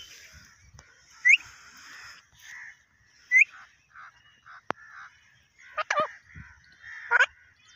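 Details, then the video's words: Pakistani parrot said to talk in Urdu, giving several short harsh rising-falling squawks spread through the clip, with softer chattering and faint chirps between them. "Pakistani parrot talking in urdu"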